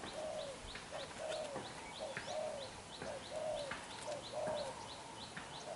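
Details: Newly caught young spotted dove with black eyes giving fierce đập gù cooing: evenly spaced hollow coo notes about once a second, with thin, high chirps from other birds repeating in the background.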